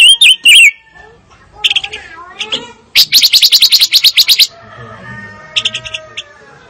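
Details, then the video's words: Fire-tailed myzornis gives two bright wavering whistles, then a long, harsh buzzing trill of about a dozen rapid pulses lasting over a second; quieter chirps and a faint low hum trail off afterward. "Kicau Burung Pancawarna Paling Dicari - Tiếng chim ngũ sắc"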